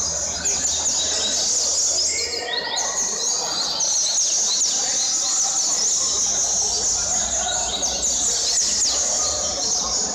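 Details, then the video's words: Double-collared seedeater kept as a companion bird, in a session said to end after 147 songs; dense, high, continuous twittering with rapid sharp notes throughout, over a rough, noisy background. "Coleiro Surpresa do amigo Raul um luxo de ave, finalizou com 147 cantos!"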